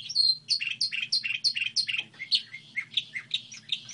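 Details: Hybrid goldfinch in song: a quick series of sharp, descending chirped notes about five per second, flowing into a warbling, slightly lower twitter; low electrical hum underneath.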